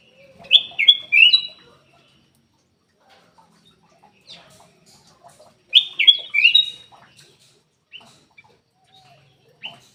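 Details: Black-crested bulbul used as a singing lure for quiet kept birds. Two loud bursts of mellow, falling whistled notes are about five seconds apart. Scattered soft clicks and chirps fill the gaps.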